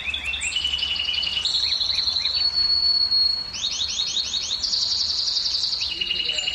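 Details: Male-style canary song intended to stimulate females to mate: varied trill tours, a drawn-out clear whistle in the middle, then fast repeated rising notes and a lower rolling trill.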